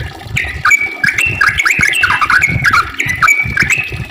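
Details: Yellow-vented bulbul's long rolling song, used as a lure to make other bulbuls sing: dense run of warbled, bubbling notes, with low rumbling and tapping behind.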